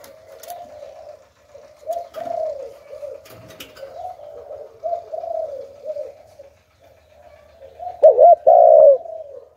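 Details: Spotted dove decoy with the 'Hạp Bổi' voice, calling to attract wild doves. Soft, distant-sounding low coos murmur throughout, with faint clicks. The clip ends in a loud, close double hoot and a long, slurred coo.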